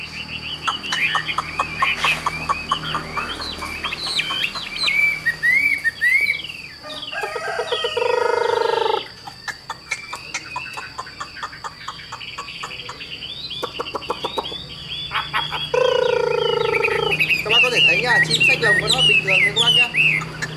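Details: A caged Chinese hwamei (Garrulax canorus) sings a loud, rapid, varied stream of rich whistles and trills, almost without pause, continuing to sing even while its cage is carried.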